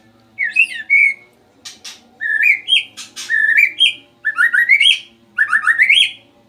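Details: Caged male white-rumped shama in lively song after a sauna session: repeated bursts of rising, stepped whistled phrases, some fast and trilled, with sharp clicks between, roughly every second.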